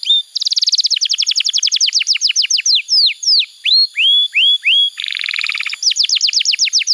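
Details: Canary song meant to teach young canaries to sing: buzzy trill, long run of falling whistled sweeps, rising whistles, then a rough burst and more sweeps.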